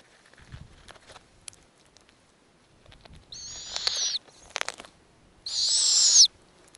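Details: Snowy owl nest with hatching eggs and nestlings fed by the female. Two strained, hissing squeals, the second louder, separated by a burst of rustling and scratching, over a soft background murmur.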